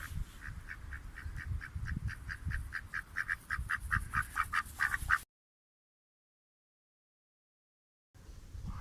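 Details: Male pet duck kept at home, quacking when happy or calling: a fast run of short, nasal quacks, about two per second, for five seconds, then a silent pause before low rumbling noise returns.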